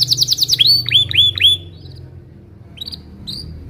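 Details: A Belgian canary sings in the morning to lure young canaries into learning: a quick chattering burst and four swooping falling whistles, then near quiet broken by two faint high notes.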